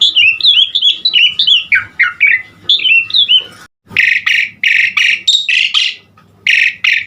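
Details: Asian pied starling singing its varied 'gacor' fill-in song for masteran training: a quick string of slurred whistled notes, then loud harsh rasping shrieks repeated with short gaps.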